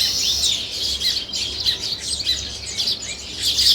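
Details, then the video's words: Steady high chorus of sparrows and weaver birds chirping outdoors, a continuous jumble of overlapping squeaky notes with no break, and a faint low hum underneath. "Sparrow Chirping | Weaver Birds | Sparrow Natural Sound"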